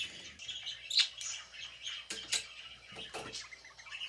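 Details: Budgerigar eating and chirping, giving quick high tweets and a chattering warble mixed with a few sharp clicks, with the louder chirps coming in uneven bursts.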